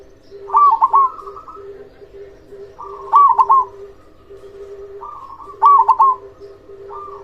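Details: Loud local zebra dove singing to stir quiet doves into song: three stuttering, rolling coo phrases, each ending in a held note, about every two and a half seconds over a steady low hum.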